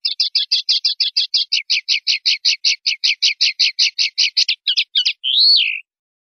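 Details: Common linnet singing silvestrismo-style clean song: a long, quick series of about thirty buzzy chirps that gradually lowers, broken by a couple of varied notes and closed by one loud slurred whistle.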